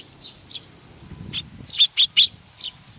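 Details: Sparrows arriving for food at Tenmangu, Nakanoshima, 7 June 2020, giving scattered sharp chirps, then a quick cluster of three loud notes near the end, over faint low background hum.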